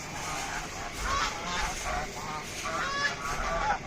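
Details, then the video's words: Raj hash, a local duck, heard as repeated nasal honks with brief wavering tones, several birds trading calls in uneven bursts against continuous background noise. "beautiful raj hash - amazing raj hash - duck videos"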